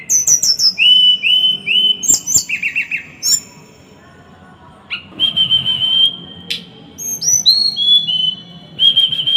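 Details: Small bird delivering a dense, harsh training song: rapid high chips stacked over trilled mid-pitched whistles, a pause, then long steady whistled notes and upward-sliding high whistles in quick succession; low hum beneath.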